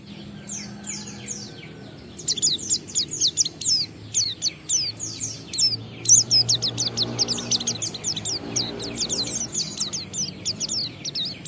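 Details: Caged Oriental white-eye, known locally as pleci, singing a lure song meant to prompt other white-eyes to sing; after two quiet seconds, a dense run of high, fast, sharply falling chirps and twitters continues steadily, with a faint low hum beneath.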